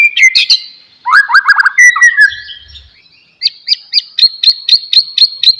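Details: White-rumped shama song, used to prompt a quiet, idle bird to sing again: a loud slurred whistle, then a fast burst of descending notes, then a run of about nine sharp, high, evenly spaced chips.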